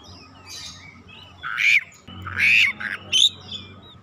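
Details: Oriental magpie-robin responding insistently with its isian song: three loud, rough, squawky bursts with bright whistled tops, spaced about half a second apart over a low background hum.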